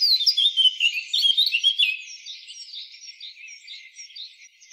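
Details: Wild Eurasian blackcap giving a rapid, scratchy warble of high chattering notes that starts loud and fades over the final seconds.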